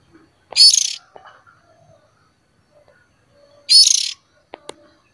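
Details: Young oriental magpie-robin calling, used as a lure: two harsh, raspy, buzzy bursts about half a second long and three seconds apart, with faint clicks between them.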